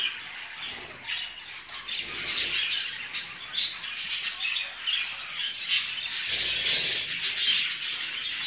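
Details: Many show-type jumbo budgerigars kept for breeding, chattering together in a constant wash of warbled chirps and harsh squawks that swell louder in the second half.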